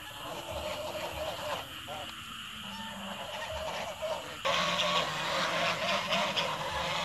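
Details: Geese calling in the evening: harsh, nasal honks that grow louder and denser midway through, over steady broadband background noise and faint voices.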